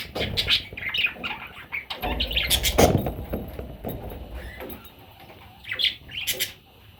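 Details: Parrot chicks giving short squawky chirps and raspy calls in bursts, loudest near the start and again toward the end, with low thumps and rustling handling noise between them.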